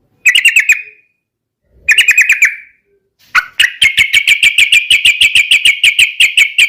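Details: Yellow-vented bulbul singing a fighting song to draw rivals: two short stuttering trills, then a long steady series of sharp repeated notes at a quick, even pace.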